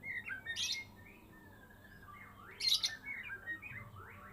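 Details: Captive Medan white-rumped shama, kept since its speckled juvenile stage and now past its first moult, singing in the full-repertoire gacor style: short whistled slurs around mid pitch broken by two bright, high chattering bursts.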